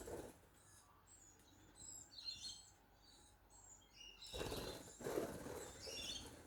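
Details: Small pet male budgie showing off his charm, giving a soft, busy warble of high twittering chirps and squeaky whistles with a breathy flutter of rustling partway through.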